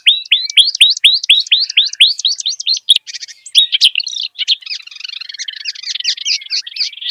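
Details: Wild kerak basi gives a quick run of rising, whip-like upslurred notes, then breaks into a tumbling, scratchy mix of chatter and squeaks.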